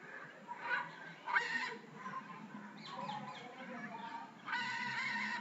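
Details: Red-and-green macaw at Bannerghatta Zoo, Bangalore, giving harsh, raspy squawks in three loud bursts, the last one drawn out, over softer background chatter.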